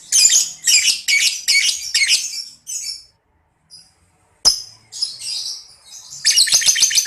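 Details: Lovebird chattering in short harsh bursts, a training recording meant to make other lovebirds chatter long (ngekek) and answer; rasping high notes come in quick clusters separated by brief pauses, with one sharp click mid-way.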